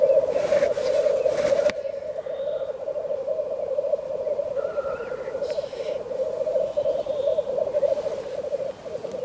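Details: Black grouse in a frosty landscape give a steady, far-carrying bubbling coo that rolls on without pause, with a few faint hissing notes and a brief rustle at the start.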